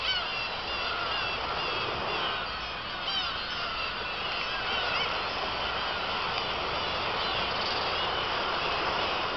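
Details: Dense chorus of black-tailed gulls at Kabushima, 2 August 2012, after fireworks: countless overlapping mewing and squealing calls merge into a continuous wash against heavy background noise.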